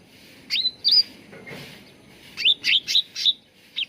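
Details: Cucak ranting bulbul song for luring and training birds to sing: a couple of ringing whistled notes, a soft gap, then four to five rich chirps in quick succession.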